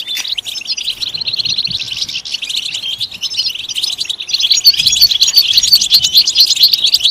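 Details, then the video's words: Goldfinch singing in a continuous rapid twitter, quieter at first, then louder with a series of clear tinkling repeated notes over the last few seconds; played as stimulation for singing goldfinches. "Comprehensive guide to stimulating and singing the goldfinch"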